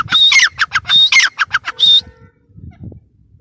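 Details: Grey francolin uttering loud raucous notes in quick succession, a level whistle leading into harsh falling squawks, ending in a drawn whistle, followed by quiet background murmur.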